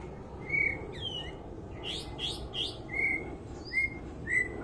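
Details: Strange song of a white-rumped shama, steady whistled notes repeated about every second, mixed with brief buzzy chirps over a noisy background.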